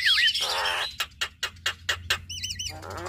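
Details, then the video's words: Male and female Javan mynas singing a duet: a wavering whistle, a buzzy rasp, then a run of sharp clicks about five a second, ending in warbled whistles and a harsh note. "Duet Jalak Kebo Fenomenal Jalak Kebo Jantan Dan Betina"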